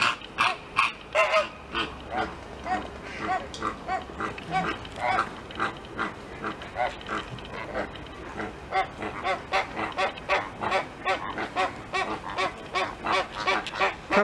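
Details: Red (American) flamingos at Novosibirsk Zoo on 15 September 2023, part of a group of 14 of about the same age, squabbling with each other in a steady stream of short, nasal, goose-like honks and grunts, several overlapping at about three calls a second.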